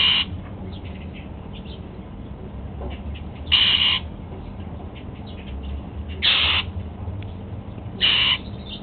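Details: Pet Golden-fronted Leafbird during an apple breakfast, uttering loud, harsh, bright calls about every two to three seconds, four in all, with soft chirping between.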